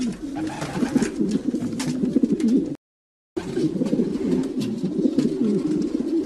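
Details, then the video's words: Several domestic pigeons coo in low, throaty, rolling murmurs that overlap continuously, with a brief silent gap midway. "Sounds of pigeons"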